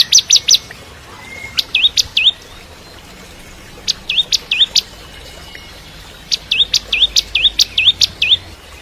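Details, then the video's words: Bar-winged prinia song for training white-rumped shamas: short bursts of three to eight sharp, hooked high chirps separated by pauses of one to two seconds, ending in a longer run of notes. "Masteran Cimblek Kristal Gacor (masteran murai Batu trotol)"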